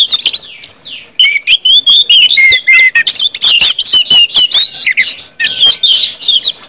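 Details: Orange-headed thrush in full 'ngeplong' song, from a collection meant to get other birds singing quickly; dense run of rich whistled phrases and sharp chirps, rising and falling, with brief pauses between bursts.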